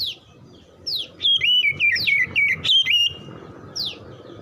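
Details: Oriental magpie-robin, a bird said to be slow to sing yet quick to answer and copy other song, delivering a bright burst of fast, wavering whistles lasting about two seconds, framed by short downslurred chirps and a low background rumble.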